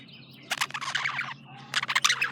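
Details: Male pet budgerigar chirping: two bursts of rapid, scratchy warbled chatter with sharp clicks and squeaks, separated by a short quieter pause, over a faint low hum.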